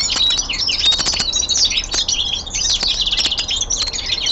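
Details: A caged young male common linnet delivers loud, dense winter twittering, rapid chirps and buzzy trills interleaved with brief clear whistles, running without break.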